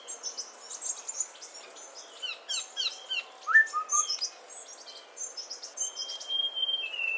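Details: Busy high chirps and twitters from several birds, then a Streak-breasted scimitar babbler's downslurred whistle followed by a lower doubled note, and near the end a long flat high whistle.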